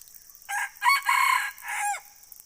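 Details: Red junglefowl giving a full crow: a short opening note, then a loud harsh stretched middle section, and a drawn-out closing syllable that falls away at the end, over a faint steady high hiss.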